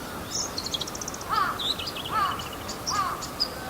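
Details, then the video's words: Male Bull-headed shrike photographed 28 March 2015 with a Canon PowerShot SX60 HS, mimicking other birds; a high rattling trill, then three short downslurred whistles near the middle with scattered squeaky notes above. "モズ "Lanius bucephalus" の鳴き声。（他の野鳥の鳴き真似）"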